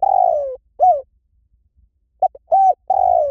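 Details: Spotted dove coos: the tail of a long falling coo and an arched note, a silent gap, then a fresh phrase of two short clipped notes, an arched coo and a long downward-sliding coo.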